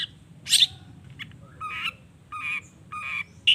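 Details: Harsh, buzzy squawks from a Long-tailed shrike, used as a lure song to make other shrikes reply: one loud rasp, then three drawn-out grating notes spaced about half a second apart, ending with a sharp chip.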